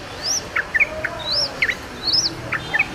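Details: Wild yellow-vented bulbul chirps: short bright notes and quick slurs, mixed with three high arched whistles that rise and fall.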